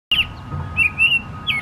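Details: A male common blackbird (Turdus merula) sings a short morning solo of fluty, warbling phrases, with a faint steady hum beneath.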